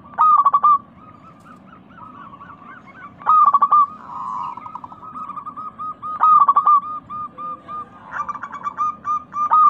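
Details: Local perkutut (zebra dove) lure recording: loud rattling trilled coo phrases about every three seconds, linked by runs of softer even notes at one pitch, steady faint background hiss.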